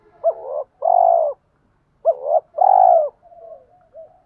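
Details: Two low coo phrases from spotted doves, male and female, played to encourage cooing: each a clipped bent note plus a long full hoot, then soft trailing murmurs.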